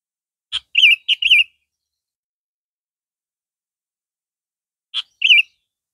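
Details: Captive red-vented sooty-headed bulbul, compared with a yellow-vented bird, delivers a quick burst of three bright whistled notes, then silence before a sharp note and one more warbled note.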